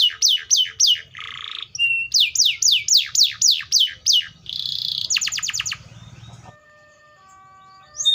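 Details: Canary song: a run of steep downward-sweeping whistled notes about four per second, then a buzzy burst, fast rattling trills and a series of thin steady whistled tones, ending with a rising note.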